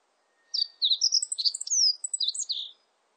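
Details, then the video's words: Single full meadow bunting song phrase of about two seconds: a rapid, varied sequence of sharp high chips, thin slurred whistles and a drawn-out downward note. A faint steady tone sounds briefly at the start. "멧새, 1번 듣기"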